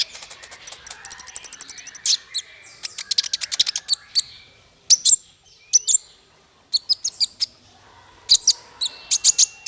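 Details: Master song for teaching small fighter birds to sing. A fast, high, even trill opens, then comes a jumble of sharp chirps and brief piercing whistles separated by short pauses.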